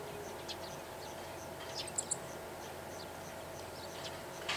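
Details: Meadow bunting (Emberiza cioides) repeating thin, high, clipped chi-chi notes, singly and in quick pairs, perched on a power line at a Takaharu ranch, perhaps alarm calls at nearby birds, over a steady low hum.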